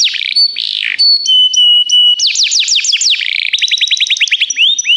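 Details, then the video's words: Canary training song: pure steady whistled tones held briefly, followed by a series of down-slurred notes and a fast, even trill. "O melhor canário canário para treinar seu canário"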